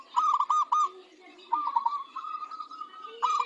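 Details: Local zebra dove in strong song, said to make other doves answer: bubbling, rolling coos in quick pulsed phrases, repeated after short pauses, with faint softer cooing underneath.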